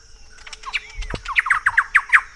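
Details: Thrush-like Wren in Peru: after a few soft, faint notes, a run of loud, harsh, chugging notes follows quickly, about six in one second, rising in strength to the end.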